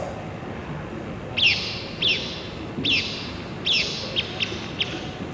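Blyth's Pipit giving six or seven short, harsh, down-slurred calls, each under half a second, spaced irregularly over about four seconds, over a low murmur of room noise.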